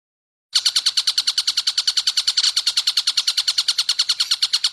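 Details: Long-tailed shrike song for tutoring cagebirds. Half a second of silence, then a sudden rapid stream of rasping, evenly spaced notes, roughly nine per second, steady throughout. No other noise.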